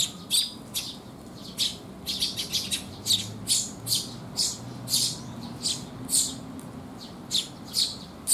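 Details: A busy stream of Eurasian tree sparrow chirps, dense and nearly continuous, as several birds come to be fed at a resting place on a rainy 19 June 2021; a faint low hum runs underneath.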